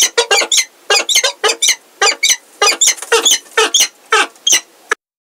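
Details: Peregrine falcons at Heidelberg, Germany, the male and a new unringed female, 17 February 2023: strident, buzzy calls given in an unbroken rapid series of about fifteen notes, then abrupt silence.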